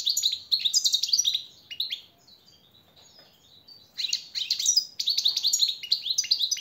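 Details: European goldfinch tutor song for captive birds: quick, tinkling, high phrases of chattering notes, a quiet gap of about two seconds, then two more lively twittering bursts.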